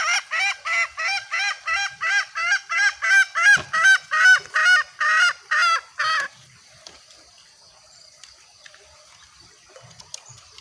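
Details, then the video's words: Hen green junglefowl lure call meant to bring males closer: a loud, regular train of short ringing clucks, roughly three every two seconds at first then quicker, runs for six seconds and stops abruptly, leaving faint background hiss. "Sound of green jungle fowl..Masteran Ayam Hutan Hijau"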